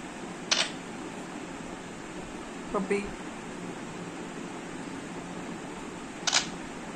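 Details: An Alexandrine parakeet mimics camera sounds: two crisp, shutter-like clicks about six seconds apart, with a brief low vocal sound between them, over steady room hum.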